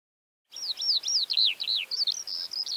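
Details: Eurasian Skylark from Central Russia singing: a rapid, continuous run of high chirps and trills, notes sweeping up and down and slurring together without pause after a half-second of silence.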